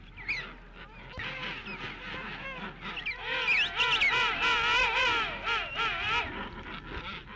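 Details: King penguin colony recorded 21 December 1961 in Antarctic archives, during experiments on helicopter noise effects: overlapping loud, wavering, brassy trumpeting display calls with harsher grunting of penguins protesting at neighbours, a constant din.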